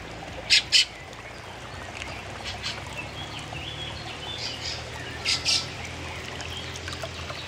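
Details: Two young Fieldfares perched on branches; harsh, noisy double chacks sound twice, about five seconds apart, with faint softer chirps between them over a low steady background hum.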